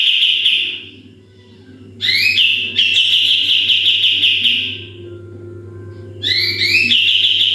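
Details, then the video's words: Sooty-headed bulbul singing persistently in 'full tembakan' style as a master recording for training birds. Long bright whistled notes held for several seconds, then a pause, then a fresh outburst starting with stacked rising sweeps. Faint low hum underneath. "MASTERAN KAPAS TEMBAK GACOR FULL TEMBAKAN"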